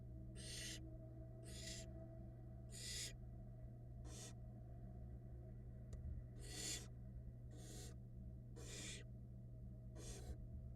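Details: Female barn owl feeding her young at a Florida nest cam: the nestlings keep up a run of about nine short, airy, screechy hisses, fairly evenly spaced, with a faint click midway and a steady hum.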